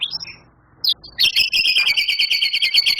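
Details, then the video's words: White-rumped shama, a prize-winning singer with long, rough mimicked fillers: short scattered whistled notes, a brief pause, then a loud sustained rattling trill of rapid pulses held for nearly two seconds. "Suara Murai Batu Juara,Tembakan Murai Batu Gacor Full Isian Kasar Panjang Mewah"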